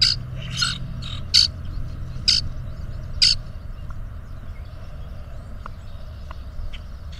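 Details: Two male grackles duel for a female, puffing up to display, giving five harsh, squeaky bursts about a second apart, then fainter chips, over a steady low rumble.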